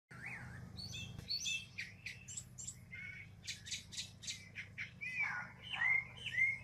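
A Northern mockingbird sings a rapid medley of varied phrases: buzzy notes, clear rising and falling whistles, and sharp chirps, changing every second or so over a steady low hum.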